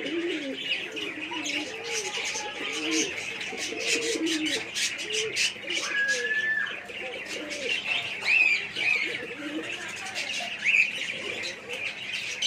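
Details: Several domestic pigeons on a small hobby farm coo in low, throaty rolling phrases, with sparrow-like chirps and a brief whistle above.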